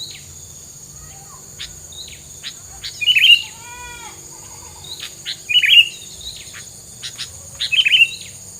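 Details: Filler song meant to keep rival birds from coming near: three quick chirp clusters spaced a few seconds apart, with a brief stacked descending tone between them and a faint steady high hiss.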